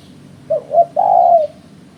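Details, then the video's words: Spotted dove giving its call, used to lure birds for trapping: two short clipped coos, then a longer even coo that fades slightly at the end, over quiet low background hum. "Suara Burung Terkuku"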